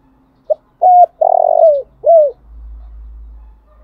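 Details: Spotted dove decoy bird giving its morning urging call: a short note, a clear level coo, a long buzzy rolling coo that slides down, then a falling coo, followed by a low steady hum.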